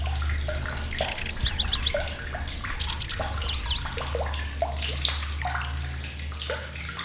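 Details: Lanceolated warbler, a migrant visiting Indonesia, with short high dry reels and quick zigzag chirp runs early on, then softer scattered notes over a steady low hum and watery noise.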